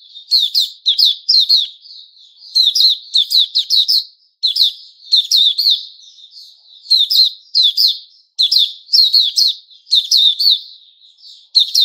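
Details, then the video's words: Songbird kept as a white-rumped shama (Puteh Raja), 29 August 2021: a long stretch of lively chattering phrases, each a rapid string of bright high notes, with brief breaks and soft whistles between. "Puteh Raja Sing Buka"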